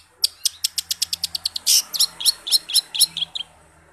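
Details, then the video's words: Energetic Long-tailed shrike song rich in borrowed phrases of other forest birds, meant to coax silent caged shrikes into singing. A dozen crisp high ticks come in quick succession, then a harsh burst and a string of looping, upslurred whistled notes. "cendet gacor full isian sehutan"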